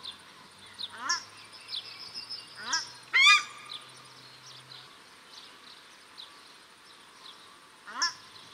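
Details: Paradise shelduck, male and female, calling at Cornwall Park, Auckland, New Zealand; a few scattered harsh honking calls with rising harmonics, the loudest near the middle, spaced by quiet background.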